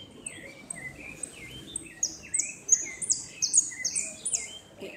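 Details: Repique-style song of a saffron finch, second place at a 2016 northern-zone competition: lower whistled slurs from other birds, then a quickening series of loud, buzzy high notes.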